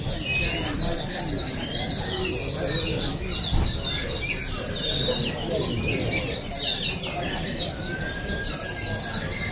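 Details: Sustained high, densely packed twittering from oriental white-eyes at the Pesta Bederun Balingian 2023 singing contest, Sarawak, with brief pauses between rushes of notes and a low hum of crowd noise.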